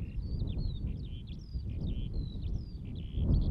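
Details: A Eurasian skylark (Alauda arvensis) in Latvia pours out a thin, high, continuous warble of quick chirps and slurred whistles, faint above a heavy low rumble of wind.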